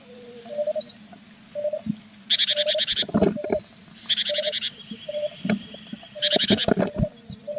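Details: Tits at a nest box on 21 April, a parent with feathering chicks; three harsh, buzzy bursts of rapid chattering calls, each about half a second long, over a low steady hum and soft knocks.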